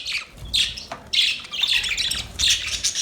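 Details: Budgies chirp in short, scratchy high bursts separated by brief gaps, with a few thin whistled notes inside the chatter and faint low knocks.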